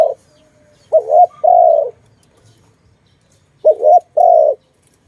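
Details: Trapped dove's call, later released: after a trailing note, a wavering double note and long coo sound once, then a silent gap of nearly two seconds before the same pair repeats.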